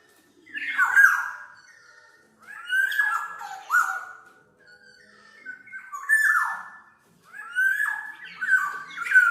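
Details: Black-naped oriole song used to train or lure birds, four bursts of loud fluty whistles that slide steeply downward, with squeaky, rasping harmonics between short pauses.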